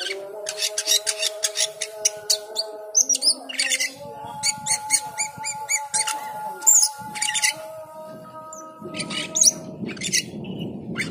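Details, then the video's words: Cucak keling in full song during the call to prayer: rapid sequences of sharp ticking chips and squeaky notes, repeated in quick series, over the sustained call to prayer and some low rumble. "Cucak keling teler gacor full isian saat mendengar adzan."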